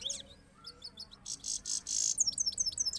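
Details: Goldfinch singing in Parachinar, compared with a goldfinch of Kabul: rapid high twittering notes, short downslurred chips, then a run of buzzy bursts and quick repeated tinkling phrases, with faint low background noise.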